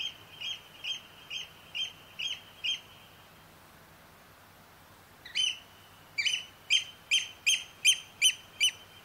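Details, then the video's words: Oystercatcher calls recorded live on the night of 6–7 July: loud, shrill piping notes, about two per second, in two bursts separated by a short pause, over a faint low hum. "Oystercatcher calls"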